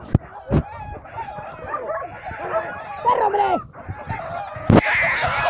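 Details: Hen defending her chicks against a hawk: harsh, wavering cackles and squawks rising and falling in pitch, broken by sharp thumps and scuffling, ending in a loud burst of noise.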